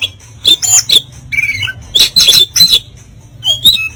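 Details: Oriental magpie-robin singing harsh 'kasaran' material, meant to make rival birds puff up: clusters of high whistled and scratchy notes in short bursts with quiet gaps, over a low steady hum.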